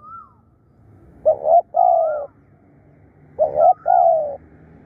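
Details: Decoy spotted dove calling fiercely and persistently, giving two clear coo phrases, each two short clipped notes followed by a longer drawn-out purr. Higher, wavy whistled notes sound over them, and faint rumbling lies in the background.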